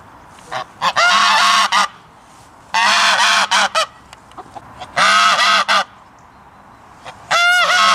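A goose gives loud, harsh, nasal honks in four bursts of about a second each, some rising at the end, roughly every two seconds.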